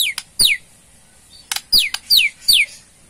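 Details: White-rumped shama, called Murai Borneo, giving ketrekan to provoke a response: harsh downward-sweeping notes repeated in quick pairs, with short sharp clicks between them.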